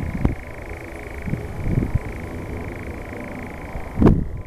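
A nightjar gives a steady, unbroken mechanical churr that runs throughout, over low rumbling background noise and a couple of dull thumps.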